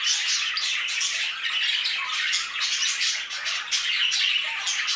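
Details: An aviary full of budgerigars keeps up constant, busy chatter: rapid scratchy warbles, clicks and short whistled notes overlapping throughout at an even loudness.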